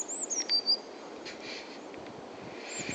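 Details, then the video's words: Blue tit at Uppsala Botanic Garden ending a song with thin high notes and a quick lower trill. Then comes quiet with faint scuffing, and high notes start again at the very end. "Blue tit sings at Uppsala Botanic Garden"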